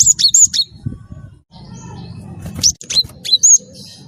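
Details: Wingko cinereous tit, a constant singer, used to prompt other birds to sing: piercing high two-part whistles, a short gap with low rumble, then more scattered sharp notes of varying pitch.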